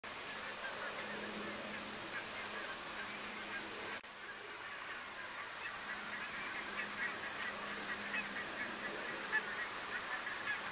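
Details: Flock of Red-breasted geese at Strijen, Netherlands, in February 2018 keeps up a dense chatter of high, squeaky, yelping calls that overlap continuously, over a faint low steady hum.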